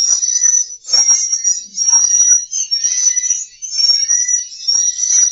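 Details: High, thin swiftlet twittering played to attract swiftlets to roost in a bird house. It runs as an unbroken chirping stream with brief dips and faint clicks under it.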